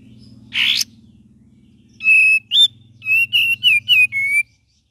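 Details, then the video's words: ['Cream-vented bulbul song, gacor and ngeriwik variations: a coarse rasping burst, then a pause and a lively series of about seven short clear whistles, some rising, most level or slipping down, above a low droning hum.'] "KAPAS TEMBAK VARIASI GACOR DAN NGERIWIK"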